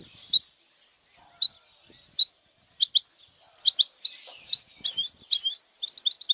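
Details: Goldfinch mule, a goldfinch hybrid, singing for training: scattered short high chips and twitters spaced apart, building into quicker clusters of sharp notes with a brief buzzy stretch near the end.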